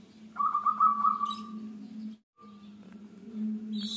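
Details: A single lively phrase from a singing local zebra dove: about six rapid, pulsing coo notes trailing into a drawn-out tail. A faint low hum continues and a high chirp sounds at the end.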